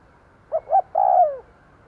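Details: A lure spotted dove, used to provoke wild doves, gives a single phrase: a pair of short coos followed by one sustained, downward-sliding coo. Nothing else is heard over the low background.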